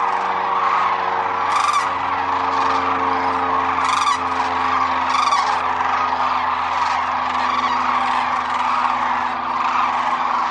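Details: Many sandhill cranes wintering at Whitewater Draw Wildlife Area, Arizona, keep up a steady clamor, with sharp rolling bugles breaking through every second or two over the massed flock and a low droning hum.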